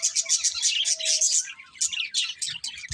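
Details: Budgerigars kept as pets give a run of bright, evenly spaced chirps, then break into a looser, warbling chatter, with a soft thump at the close.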